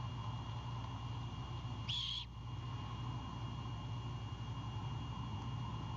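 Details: Great horned owlet on its nest at night, defending prey its father brought, utters a single short raspy screech near the two-second mark against a continuous low mechanical hum.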